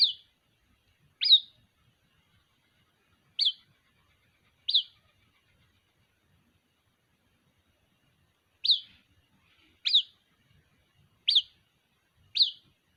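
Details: A young white-breasted waterhen calls to its mother with brief, piercing, high chirps that sweep up and drop, given singly or in pairs at irregular gaps, about eight notes over thirteen seconds against near silence.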